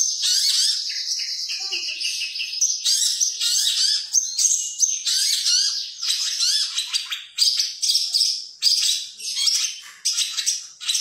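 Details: Caged long-tailed shrike, contest material from 2020, known for imitating sparrows, canaries, lovebirds and kingfishers; a long run of fast high twittering and chirping, nearly continuous, broken by short drops in loudness.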